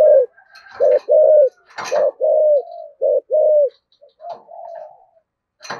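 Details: Spotted dove, giọng thổ style, thúc gù cooing: short deep coos followed by drawn-out sliding ones, with clattering knocks in between and a softer murmured phrase near the end.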